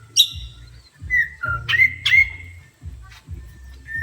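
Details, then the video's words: Agitated Oriental magpie-robin, provoked by a horn, delivers separate clear whistles, some flat and some sharply upslurred, spread across four seconds above a low pulsing rhythmic background. "Kacer emosi tingkat tinggi di klakson langsung emosi"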